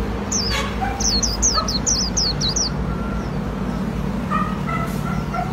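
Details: Japanese white-eye in Vietnam performing líu song: about nine high, downward-sweeping whistles in a fast run, then quieter scattered chirps and background noise.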